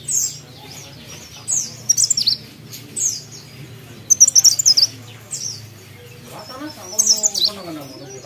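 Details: Mountain leaf warbler singing with short, sharp, high descending chips and brief twittered trills spaced a second or so apart. A low hum and some faint lower voiced sounds are heard near the end.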